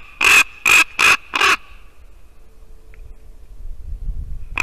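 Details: Ravens visiting a white-tailed eagle nest in Latvia at 8:59 in the morning on 2 December 2019 give four loud, harsh, rasping calls in quick succession, followed by near silence with faint low rumble.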